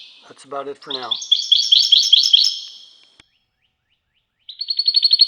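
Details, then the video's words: Singing European goldfinch: short low twitters lead into a steady run of repeated bright liquid notes that fades away, and after a silence a new fast chiming trill begins. "تغريد_الحسون نادر"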